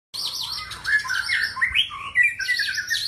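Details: White-rumped shama song: a continuous varied warble of slurred whistles rising and falling, with high trills above, delivered without pause.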